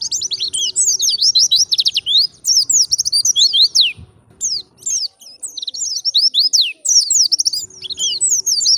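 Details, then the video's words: Indonesian white-eye in wild-style song, played to draw in other white-eyes: dense bursts of high, piercing downslurred whistles and chirps, with two brief gaps before the lively twittering picks up again. "PLECI GACOR suara ngalas - Mengundang bunyi BURUNG PLECI"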